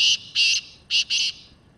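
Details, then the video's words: Black francolin calling: four loud, harsh, buzzy notes, each about a quarter second long, in two close pairs separated by a short gap, over a quiet background. "Kala Teetar Full And Clear Voice"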